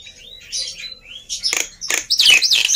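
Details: Black-winged myna in lively song, used as a lure to prompt reluctant birds to sing: thin rising whistles and soft slurred notes open, then loud harsh rasping bursts and squeaky chatter follow in quick succession.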